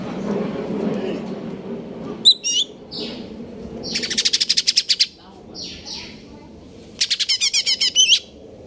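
A greater green leafbird sings in bright bursts: sharp whistled notes, then two rapid rattling trills of about ten notes each. Low background murmur throughout.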